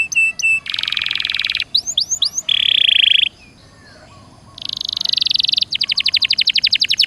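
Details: Canary; song; prompting another caged canary to sing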